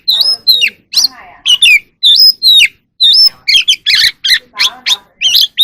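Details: Wild oriental magpie-robin in evening song and dance display. Bright whistles rise to a level held note, mixed with short sliding phrases. Lower, harsher harmonic calls fall between them.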